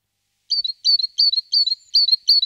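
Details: Great tit settling into a nest box: quick chirped notes repeated about every third of a second, each a sharp upward flick followed by a short falling tail, steady and clear against silence.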